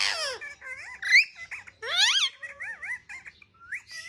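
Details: Indoor pet parrot busy with a mobile phone chatters in a high squeaky voice, with wavering, rising-and-falling harmonic phrases and laugh-like squeals packed closely together.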